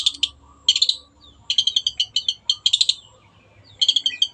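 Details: Long-tailed shrike singing gacor-style for a clear tutor recording: short bursts of rapid, scratchy, high chattering notes, separated by brief pauses, with a soft low hum underneath.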